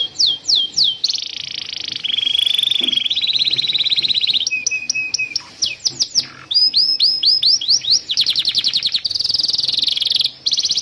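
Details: Canary master song to train young canaries and restart birds that quit singing; sweeping slurs, long rolling trills at varied pitch, flat tones and fast repeated notes in a continuous varied stream.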